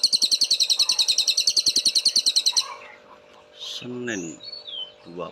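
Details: Cililin master song, used for training caged songbirds: a fast, sharp, high-pitched trill repeated evenly for over two seconds, followed by scattered whistled notes and lower buzzy sounds.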